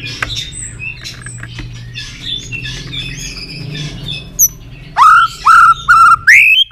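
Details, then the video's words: White-rumped shama: after a murmur of faint chatter and hum, a series of loud, pure, steady whistles with rising slurred tails arrives, roughly every half second. "chòe lửa đập tạch cực sung"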